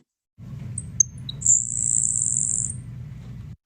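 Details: Grasshopper Sparrow song: three thin, very high ticks, then a dry, insect-like buzz held for about a second, lacking the wetter, smoother opening notes of similar species; low background hum.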